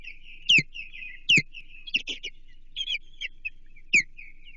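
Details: Osprey at a Chesapeake nest on 28 June 2023, while an American shad is brought for the young. Loud, sharp descending whistled notes are repeated roughly every second, with softer chirps running between them and a low hum beneath.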